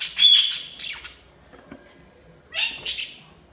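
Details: Budgerigar chirping: a loud chattering burst with a brief pure whistle, a pause of faint noise, then another scratchy warbled outburst with a rising note.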